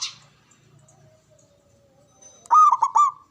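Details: Javanese local zebra dove, a loud, long-breathed caller used to lure rivals into answering and to boost breeding urge; after near silence, a burst of rolling, stuttered coos arrives near the end.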